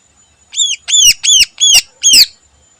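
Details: Morning song of a greater green leafbird (cucak ijo) in full-isian style. Five loud, harsh, squawky notes each sweep downward and are evenly spaced about every third of a second against a quiet background.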